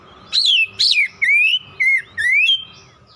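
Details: Oriental magpie-robin singing five loud whistled notes about one per second, alternating falling and rising sweeps, over a faint low hum.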